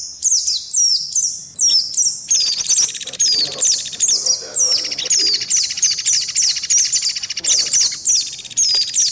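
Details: Indian white-eye lure call in a combination with mantenan and pelatuk beras, for quick response: long run of high, sharply falling chirps in quick bursts, joined midway by a steady buzzing rattle.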